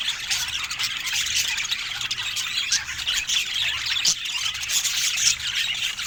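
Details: Budgerigars of rare colour mutations in Scandinavian natural light keep up an unbroken high-pitched warble, scratchy squawks and squeals layered over one another, with a busy, many-voiced texture and no speech or music.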